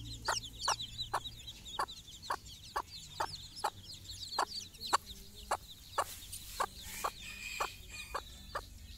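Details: Mother hen calls her chicks for a morning walk, their first time outside: evenly spaced short clucks about twice a second, fainter high chick cheeps above, and a brief burst of hiss near the end.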